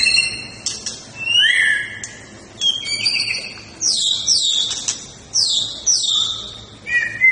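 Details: White-rumped shama in fighting-style song, delivering bursts of rich whistles: a rising slurred note, then repeated sharp high downslurred phrases about every half second, with brief pauses between bursts.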